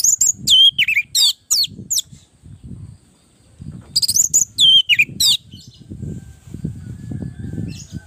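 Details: Orange-headed thrush singing as a master track to draw replies from other birds. Two bursts of fast, descending whistled notes a few seconds apart, with constant low-pitched background rumble.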